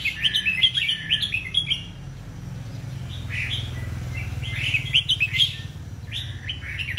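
Red-whiskered bulbul giving bright, bubbly whistled phrases in short bursts every second or two, over a steady low hum.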